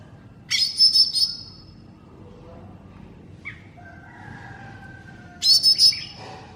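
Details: Masteran song of a greater green leafbird (cucak ijo mini): a loud stuttering burst of harsh trilled notes, then soft sliding whistles, and another rapid buzzy trill near the end.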